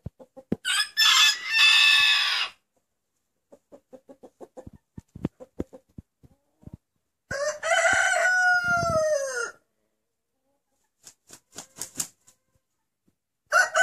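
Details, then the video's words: Rooster whose crow is likened to the Turkish word 'anneanne', grandmother. Two loud, hoarse crows, each about two seconds with a wavering, falling end, separated by quiet clucking and tapping; another crow begins at the end. "Bu Horoz Anneanne Diyor"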